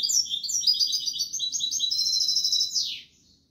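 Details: European goldfinch song: a continuous three-second stream of fast tinkling and twittering notes, ending in a downward buzzy slur.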